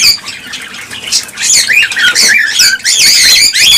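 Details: Cockatiels calling loudly, in a recording used to stimulate mating. Shrill squawks and wavering whistles pile up into a steady, dense wall of sound that grows louder toward the end.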